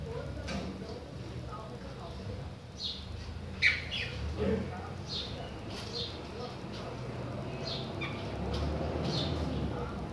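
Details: Chopi blackbird of the Bahia type singing without pause: short bright chirps come roughly once a second, one sharp louder note near the middle, over a steady low electrical hum and faint human voices.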